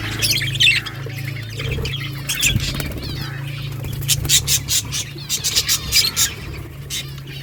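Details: Singing budgies give busy warbled chirps and squeaks, growing into rapid clustered bursts toward the end, over a constant low droning hum.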